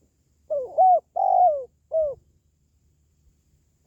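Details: One spotted dove cooing phrase of four notes, the long third note sliding downward, followed by silence and the start of another coo; a call for lifting pet doves' spirit or luring wild birds.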